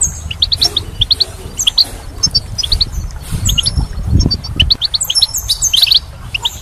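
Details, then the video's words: Spring goldfinch twittering steadily, a chain of quick high chirps with occasional thin drawn-out whistles, over a soft low rumble. "Goldfinch's Song"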